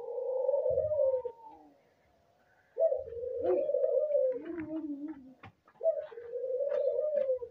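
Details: Breeding albino dove giving low sustained coos, one dipping lower and rougher mid-phrase, separated by a pause of near silence, with soft knocks and rustles in a small room.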